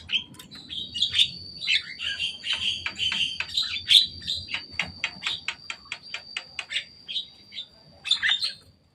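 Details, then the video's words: Javan myna playing atop a cage: a quick run of evenly spaced clicking chirps, roughly eight per second at first, then slowing, ending in a harsher burst, with a faint constant high hum. "Jalak kebo datang main di atas kandang."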